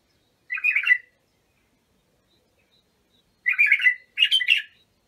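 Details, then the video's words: A bulbul sings one short mellow phrase, then after a long gap a richer two-phrase burst of liquid warbling. The song is for teaching young bulbuls. "تغريد بلابل ابو شعيب لتخريج البلابل"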